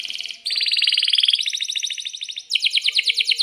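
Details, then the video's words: Canary in breeding mood with a long roll, played to prompt other canaries to sing. Continuous rapid pulsed trills change pitch and speed in several sections, bright and buzzy throughout. "suara kenari gacor panjang AMPUH,, PANCINGAN KENARI AGAR BUNYI JADIKAN BURUNG KENARI GACOR Seketika"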